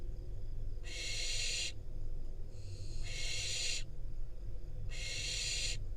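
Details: Barn owl fledgling in Israel, wild, fed a rodent by its parents; three loud raspy screeching hisses, each near a second long, spaced by quieter pauses, with low background hum.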